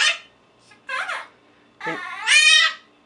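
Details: Young pet Quaker parrot, four months old, in an indoor cage, uttering short voice-like squawked syllables, three separate harmonic bursts in quick succession, the last longest and loudest, as if mimicking speech.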